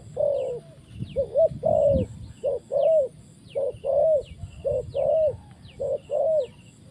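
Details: Spotted dove kept as a trapping decoy: loud, rhythmic short-long coo pairs repeated about once a second. A low thump sounds near the start, with faint high chirps in the background.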